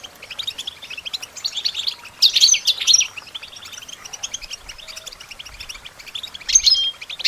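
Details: European goldfinch song for training songbirds, soft rapid chattering broken by two loud bursts of sparkling, buzzy twitters, one after two seconds and another near the end, over a quiet background.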